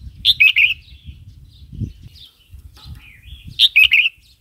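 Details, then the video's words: Red-whiskered bulbul song for stimulating new or wild birds and teaching young ones, with two quick chirpy warbled phrases at the start and the end and a soft thin note between, over a low rumble. "เสียงนกกรงหัวจุกร้อง 03"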